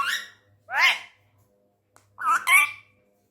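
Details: Angry tame male Indian ringneck parrot speaking Urdu/Hindi in a room: short shrill, nasal word-like syllables, one single then a quick double, with brief silences between.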